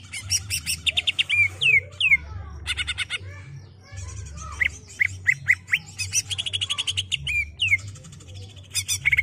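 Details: Ngerol-style song of a greater green leafbird, for training a young untrained captive bird. Dense rattling bursts alternate with clear rising and falling whistles and short chips, continuous throughout, over a constant low background hum.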